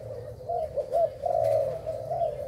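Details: Spotted dove of the Thailand type, kept for breeding, giving soft mid-pitched coos that run into one another in a wavering phrase, with a steady low hum underneath.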